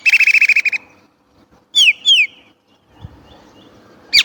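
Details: Chinese blackbird: a fast chattering trill, a pause, two clear downslurred whistles, then quiet and a brief high note at the end.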